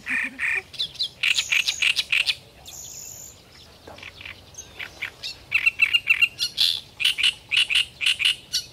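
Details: Great reed warbler singing: loud, harsh, croaking phrases of grating chirrs and chattering notes repeated rapidly in bursts, with short pauses and a brief thin whistled note between phrases.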